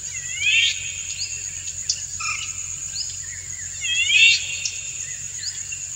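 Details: Male Indian golden oriole singing a courtship song to stimulate a dancing female: two loud bursts of stacked, curving, nasal-sounding notes about four seconds apart, with softer phrases between, over a steady high insect drone.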